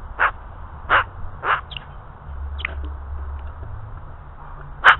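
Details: Barking calls of an Australian magpie: three rough barks about half a second apart, a few faint softer notes, a pause, then one last loud bark, with a steady low hum underneath.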